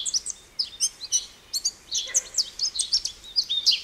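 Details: American goldfinch song made of scattered bright chirps and twangy slurred notes, uneven in rhythm, with a faint lower buzz briefly heard near the middle.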